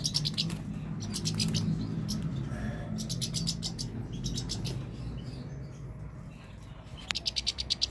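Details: Goldfinch delivering fast, high twitters in clustered bursts, with a quieter gap mid-phrase before the chattering resumes; a constant low rumble runs throughout.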